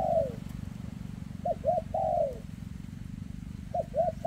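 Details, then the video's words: Repeated coo phrases of a spotted dove with a leg tremor, sung in the dense 'rước' style: a long sliding coo, then two clipped notes leading into another long falling coo. A low hum runs throughout. "Chú Chim Có Tặt Có Tài , Siêu Phẩm 2024 Kèm Rước Siêu Dầy ( Chim Bị Rẩy Giò )"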